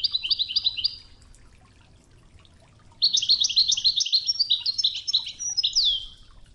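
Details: European goldfinch in Wedani song style over murmuring river water: a fast jingling twitter, a two-second lull with only soft water, then a longer bright run of clustered chirps ending in a falling slurred note.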